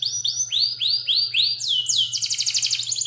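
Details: Canary song meant as a tutor recording for young canaries: a series of clear, sweeping upslurred whistles repeated about four per second, then a rapid buzzy rolling trill, over a steady low hum.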